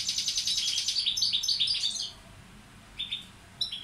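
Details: Tutor male European goldfinch of the balcanica subspecies singing: a fast, bright twittering run of high chirps for two seconds, then a quiet pause broken by a few short sharp notes near the end.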